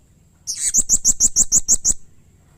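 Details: Blue-crowned hanging parrot, a bird in full voice, giving harsh, emotional calls that set other hanging parrots calling: one rough opening note, then about eight piercing, high chips repeated steadily several per second.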